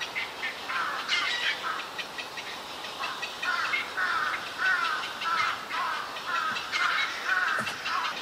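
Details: Black-crowned night heron chick among nesting cormorants and herons on a park bird island, 1 June 2023, Yokojukken Shinsui and Sendaiborigawa parks; grating squawks repeat about twice a second in uneven runs, other colony birds audible.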